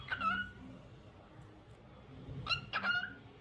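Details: Lutino cockatiel giving its daily tunes: a short whistled phrase of clear, slightly wavering notes, then a pause and a second burst of several quick whistles with a brief harsher edge. Low background hum throughout.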